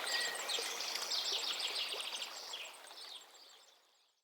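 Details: Birds singing beside a river stream in a peaceful forest: bright, rapid high chirps and trills repeated about three times a second, plus a thin whistled note, over steady rushing water, fading out toward the end.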